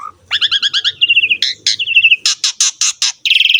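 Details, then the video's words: Asian pied starling singing lively training song meant to stir young, lazy or newly caught birds into song: a low whistle, quick paired chirps, dry rattling trills, five loud harsh notes, then a buzzy chattering trill. "MASTERAN BURUNG JALAK SUREN SUPER GACOR"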